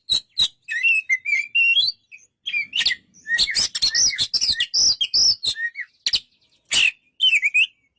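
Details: Oriental magpie-robin song made of quick, varied phrases. Sharp clicks and harsh rasps mix with rising and falling whistled notes, and short gaps separate the bursts.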